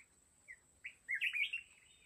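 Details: Mountain red-whiskered bulbul at a fighting trap: two quick chirps, then a rich rising and falling warbled phrase, with a thin constant high tone in the background.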